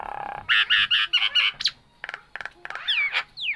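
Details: Nias hill myna singing energetically: a run of loud squawky nasal notes, then a scatter of sharp clicks and short bursts, ending in sliding, twisting whistles.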